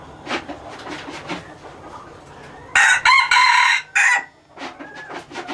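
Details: Laos-strain hybrid red junglefowl cock from a breeding program crows once: a loud, rasping, three-part phrase lasting about 1.3 seconds, surrounded by soft clicks and faint background calls.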